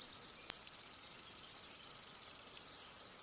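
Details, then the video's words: River warbler (Locustella fluviatilis), a bird with a cricket-like voice, delivering a continuous high, rhythmic buzzing trill of rapid, regular pulses, with a soft tick early on and otherwise quiet surroundings. "What bird chirps like a cricket and a grasshopper? (Locustella fluviatilis)"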